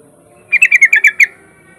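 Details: Yellow-vented bulbul song played to lure other bulbuls into singing: one crisp phrase of seven quick, bubbly, slightly descending notes delivered in under a second against a quiet background.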